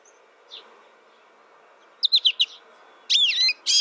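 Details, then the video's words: American goldfinch giving a faint early note, then four quick high chirps, followed by a louder buzzy, wavering note and a final sharp squeak. "American Goldfinch Sound"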